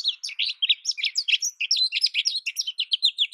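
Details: Continuous warbling song of an American goldfinch: bright, high, varied chirps and sweet slurred notes strung quickly together for the whole stretch, with no other sounds.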